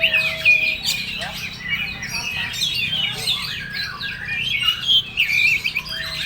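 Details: Oriental magpie-robin in full song: busy, varied mix of sweet whistles, slurred notes and scratchy chatter, a long low steady whistle at the start, over constant low hum.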